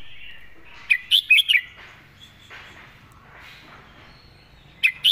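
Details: Red-whiskered bulbul in master 'mae bot' song style: four clear, rolling whistled notes, a few seconds of soft background, then another phrase starting.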